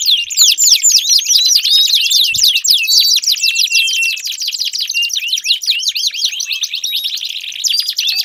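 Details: Canary song played as a trigger for a silent canary, a steady stream of rapid looping trills and slurred whistles with a few faint low knocks in the background.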